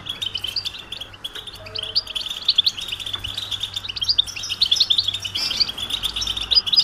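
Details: Mating calls of a European goldfinch, meant to bring a silent male back to singing: continuous high, jangling twitter of quick notes and short slurs, fairly soft, over a low electrical hum.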